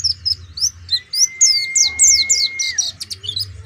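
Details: Oriental white-eye singing a fast, high, thin twittering of chirps and short slurred notes, with a steady whistled tone underneath for a while, over a low hum.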